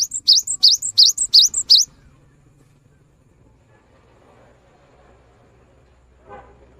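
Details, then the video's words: Vigorous cinereous tit song, used to get silent tits singing: five rapid upslurred two-note phrases at the start, then quiet with a faint murmur and one soft later sound. "Gelatik Bisu Langsung Bunyi Setelah Mendengarkan Suara GELATIK BATU GACOR ini"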